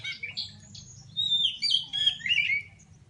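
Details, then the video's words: Oriental magpie-robin from Pidie, Aceh, singing while looking for an opponent to compete: varied high, slurred whistles and chattering notes, quieter at first, then louder rich phrases, over a low steady hum. "Kacer aceh pidie cari lawan bermain"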